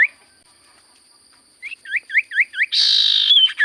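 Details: Common iora, locally sirtu cipoh, in loud song: five evenly spaced hooked whistled notes, then a harsh buzzy hissing burst blending into a high whistle; steady electronic tones underneath.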